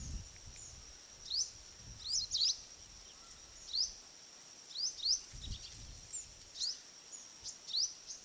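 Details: Oriental magpie-robin in the Andaman Islands, India, giving short, sharp, upslurred whistled notes, singly or in quick pairs at irregular intervals, over a steady high-pitched insect drone with occasional faint low thumps.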